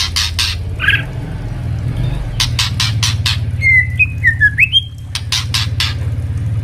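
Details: White-rumped shama song for tutoring young birds. Crackling click bursts come first, then a tumbling run of short whistled notes that dip and rise, with a steady low hum underneath.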